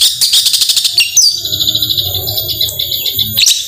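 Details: Long-tailed shrike singing in the energetic 'gacor tembakan' style, used to stir quiet shrikes into song: a rapid burst of high, sharp repeated notes, then sustained thin whistles and chattering over a low rumble.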